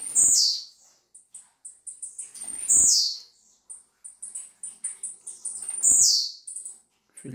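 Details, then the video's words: Young, brown-plumaged blue-black grassquit singing a lot: a sharp, high, buzzy note that slurs downward is given three times, roughly every three seconds, while a man speaks Portuguese quietly in between. "TIZIU PARDO CANTANDO MUITO"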